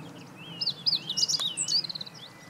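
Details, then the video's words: Meadow bunting singing on 20 March 2015: one quick, high phrase of sharp, varied chirps and slurred notes, tumbling and ending in a short rapid trill, over a soft low background rumble. "囀るホオジロ hoojiro - Meadow Bunting"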